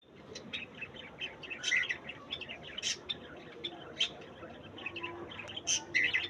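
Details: A talking cockatiel chatters in bright, high chirps and short squeaky phrases, with a few louder whistled notes.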